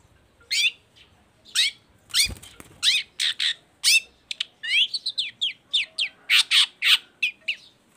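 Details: Lure song of a busy Baham long-tailed shrike, meant to get other shrikes singing. A varied series of sharp, downslurred and scratchy notes speeds into a dense, scolding chatter.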